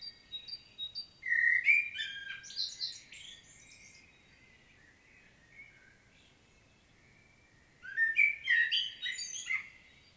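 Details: Common blackbird in Świnoujście, Poland, on 25 September 2022, sings two full phrases roughly six seconds apart, rich whistled warbling tumbling into shrill twittering ends, with soft distant bird calls in the gaps.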